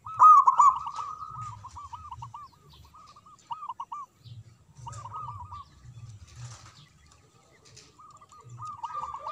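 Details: Local zebra dove in full manggung song: strings of quick looped notes repeated in short bursts, separated by pauses and mixed with soft low cooing pulses.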